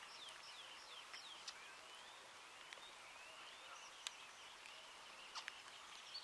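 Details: Eurasian teal (Anas crecca crecca), Lahemaa National Park, Estonia, June 2017: short, high, clipped whistles, several birds calling over one another in a loose chorus, steady soft hiss behind.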